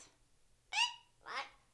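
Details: Pet parrot in a small room, trained over about two years to say "nice butt" on cue; two short husky voiced syllables, the second rougher and lower, with a quiet hum underneath.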